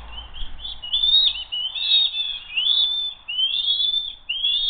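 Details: Eagles at the Hays nest as one young bird attempts to steal food and the other keeps it after a brief kerfuffle; repeated high squealing, slightly rising whistled chitters, roughly one phrase per second, fairly clean background.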